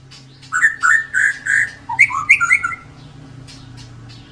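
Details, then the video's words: Klewer-tailed white-rumped shama singing steadily, meant to coax silent birds into song: four or five full, rich whistled notes in a row, then rising and falling slurred phrases over a low steady hum. "MURAI BATU EKOR KLEWER GACOR COCOK BUAT PANCINGAN BURUNG YANG JARANG BUNYI"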